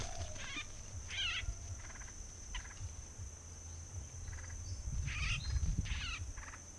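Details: A bulbul at an early-season bird-trapping site, where many birds were arriving, gives short, harsh, chattering bursts, two or three clustered near the end, over a steady high-pitched whine and low rumbling background noise.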